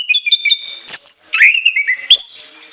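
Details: Orange-headed thrush song: long shrill whistled phrases, clear tones stepping between high and very high pitches with sliding notes and sharp upward flicks, loud and continuous.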